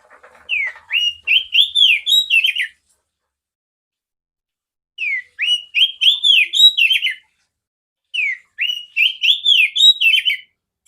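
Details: Captive female oriental magpie-robin whose clear song is played to train other magpie-robins; three bursts of about ten rich, arched whistled notes, each phrase about two seconds long, separated by silences.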